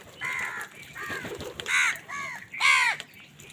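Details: Crows fighting other wild birds for food in the morning give five or so hoarse, drawn-out caws, each bending downward at the end, spaced about half a second apart.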